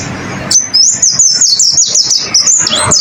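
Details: White-eye (pleci) training song, a masteran recording meant to get caged birds singing: after half a second of quiet, a continuous very high, rapid twittering warble of thin wavering notes runs to the end.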